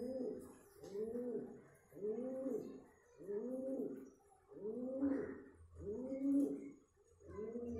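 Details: Pigeon courtship cooing: seven throaty, rounded coos, each swelling then fading, spaced a little over a second apart on a quiet background.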